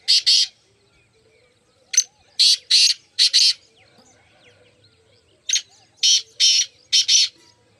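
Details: Four black francolins, 9 May 2024, giving harsh, grating notes in two quick phrases of four or five rasps each, a second or so apart; otherwise quiet.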